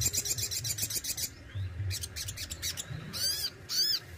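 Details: Crimson Sunbird (sogon) kept as a songbird, singing besetan and tembakan styles. A rapid, dense, buzzy trill opens, then sharp, high, arched chips follow after a short pause, with a low hum behind.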